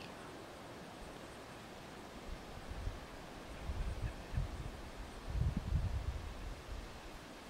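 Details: Low wind rumble and microphone buffeting outdoors, swelling in gusts through the middle and end, with no animal call.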